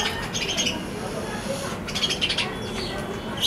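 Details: Balcony sparrows with scattered thin chirps, a brief burst early, a cluster of rapid notes past the midpoint and a sharp note at the close, set against constant low hum.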